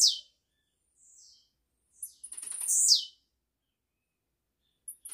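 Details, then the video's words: Blue-black grassquit song recorded live to tutor young birds: a single high buzzy phrase of ticking clicks that swells and sweeps down at the end, with fragments of other phrases at the start and close. "TIZIU GRAVADO AO VIVO PRA ENCARTE DE FILHOTES, CANTORIA LINDA"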